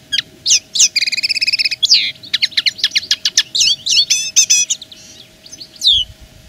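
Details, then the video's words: Linnet proclaiming its territory in song: a long, varied twitter of rapid repeated notes, buzzy stretches and whistled slurs, delivered almost without a break before trailing off. "Le chant de la linotte est une revendication pure et simple."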